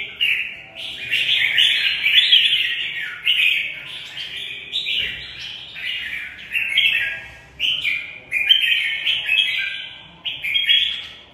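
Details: Red-whiskered bulbul fighting song: about a dozen lively, chattering whistled phrases delivered in quick succession, each rising and falling, warbling and bubbly, with short gaps between bursts.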